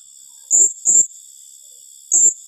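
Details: Blue-crowned hanging parrot in 'tembakan rapat' style: quick pairs of piercing, very high shrill notes about half a second apart, set against a constant thin high-pitched hum.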